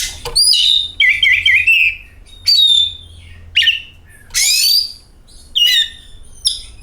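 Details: Oriental magpie-robin lure song: a varied mix of whistled slurs, a quick rolling trill and a loud harsh sweep, delivered in phrases about a second apart.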